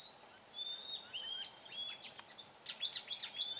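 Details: Oriental magpie-robin singing in the wild in Vietnam: sweet whistled notes and short slurred phrases around a steady high tone, varied rapid chips and trills, soft background hiss.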